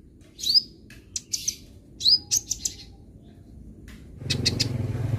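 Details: Young-bird training recording of sunbird song: several bright, high whistled sweeps and chips in quick succession, then a burst of low rumbling noise near the end.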